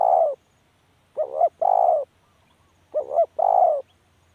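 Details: A spotted dove coos steadily. A drawn-out note opens, then two phrases follow, each a short warbled double note joined to a longer mellow coo, roughly two seconds apart.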